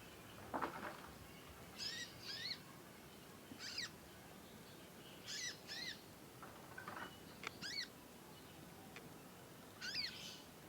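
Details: Juvenile conin practising its song: a scattered series of brief, high, down-curving chirps, some doubled, at uneven gaps over ten seconds, with a couple of lower, duller notes and a quiet background hiss.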